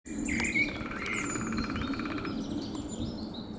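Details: A Lesser spotted woodpecker at Meijendel gives a quick run of even, nasal notes over about a second, with thin, high chirps from other small birds and a low outdoor hum behind it.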